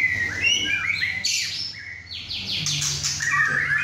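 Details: Six-and-a-half-month-old male White-rumped shama singing forcefully at home in his first chai session with other birds: loud whistled notes mixed with harsher bursts and quick rising slurs, delivered in rapid succession.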